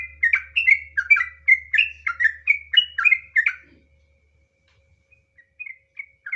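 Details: Sooty-headed bulbul (trucukan) in ngropel style: a fast run of loud bubbling whistled notes for three and a half seconds, then near silence with a few faint scattered notes and a low hum underneath.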